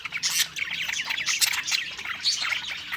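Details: Pet budgies singing while eating, bursts of squawky, buzzy chatter and quick chirps overlapping in an excited flock warble.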